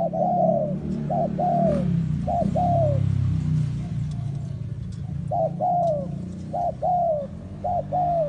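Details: Spotted dove decoy bird for trapping in the forest calls in paired coos, a short note and a longer downward-sliding note, over a heavy low rumble of background noise.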